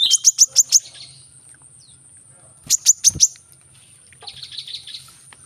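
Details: Brown-throated sunbird, local name kolibri manggar, calling hard to prompt reluctant birds to sing: bursts of five fast shrill chips, then a shorter burst of four, ending in a softer rapid twittering series.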